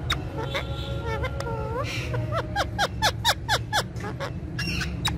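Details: Green female talking parrot giving a series of short, tonal, downward-sliding whistled notes in quick succession after a few longer drawn-out tones, over a low steady hum of background noise.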